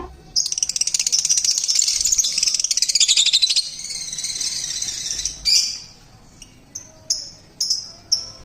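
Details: Lovebirds in a small home aviary, described as loud and noisy: a long burst of rapid, harsh, high-pitched chattering, then a few separate sharp chirps after a pause.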